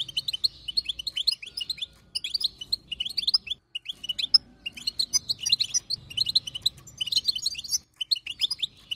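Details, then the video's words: Chatter of a female European goldfinch, played to stir a male into song; dense rapid high twitters in bursts of a second or two with short breaks. "بتبتة حسون وطنطنة تجعل الحسون يغرد"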